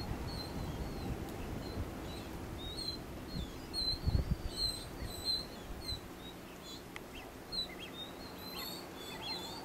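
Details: Genovesa ground finch, Geospiza acutirostris, recorded on Genovesa in the Galápagos, Ecuador, May 2012; series of high, thin whistled notes and short slurred chirps, repeated in loose bursts, over low wind rumble and occasional thumps.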